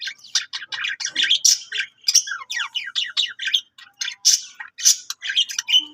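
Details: Budgerigar singing: a busy, nonstop warble of short chirps, squeaky clicks and bright rising and falling whistles, broken by brief gaps, with no other sounds heard.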